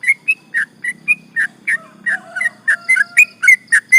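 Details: Sooty-headed bulbul giving a long rolling lure song to stir up rivals: steady string of short bubbly chirps that quickens toward the end, with a few soft drawn-out whistles underneath from another bird.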